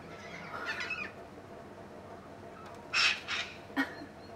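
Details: Endangered pink cockatoos at a waterpoint: a harsh, quavering screech near the start, then three short grating squawks in quick succession about a second later, over a steady rural background hiss.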